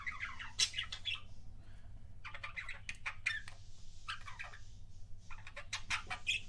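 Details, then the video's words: Pet budgerigar giving its so-called kissing sounds: bursts of rapid, raspy chirps and squeaks about a second long, separated by short silences, over a steady low background hum. "BUDGIE KISSING SOUNDS"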